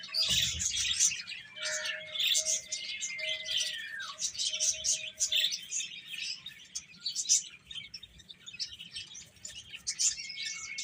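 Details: Baby chickens eating and playing, a dense chorus of high, overlapping peeps and chirps throughout, with a faint steady tone sliding downward near four seconds and a low hum in the background.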